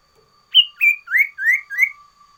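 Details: Sooty-headed bulbul in loud varied song: five ringing whistled notes, the opening pair high and flat, the next three swelling upward slurs at an even pace, over a thin constant hum.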